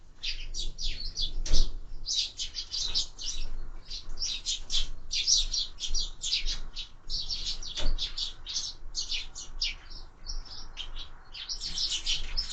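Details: Sparrows at window-mounted feeders while feeding: a near-continuous chatter of short, sharp chirps tumbling over one another for the whole stretch, with low background rumble.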